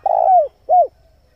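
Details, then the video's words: Cooing of a male spotted dove used to attract wild doves. A long, slightly rough coo slides downward, then a shorter arched coo follows. Both are low and mellow. "pancingan suara burung tekukur jantan"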